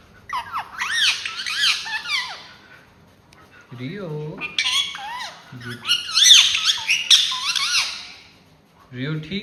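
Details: Talking ringneck parrot indoors, loud bursts of shrill, warbling and swooping notes alternating with short passages of a person speaking, the parrot dominating throughout.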